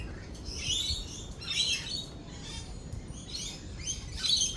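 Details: Shrill, grating lorikeet calls during a thunderstorm, several separate screechy bursts spaced roughly a second apart over a low continuous rumble.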